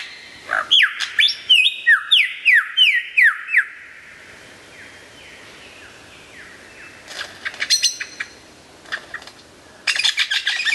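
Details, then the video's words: Loud, clear lyrebird song opening with a rapid string of about ten descending whistled notes, then a quieter spell and scattered sharp chips and trills toward the end. "suara burung lyrebird gacor"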